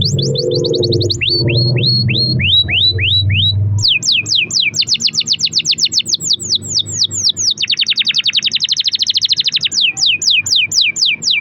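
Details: Canary in full long-roll song, used as a lure to set other canaries singing: fast repeated high swooping notes, then rapid rolling trills and a steady buzzy roll, with low rumbling noise under the opening seconds.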